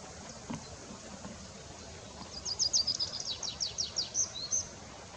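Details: Tree Pipit song after a quiet start: a high, rapid trill of sharp repeated notes, about three per second and speeding into buzzy strokes, ending in a whistled slur over a faint outdoor hiss.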